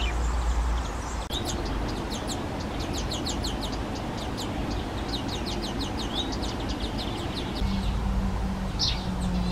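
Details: Fledgling European greenfinches accompanied by both parents, begging loudly enough to carry far. Dense run of thin, high, rising chirps repeated quickly, easing off near the end, with a short brighter note late on and a constant low background hum.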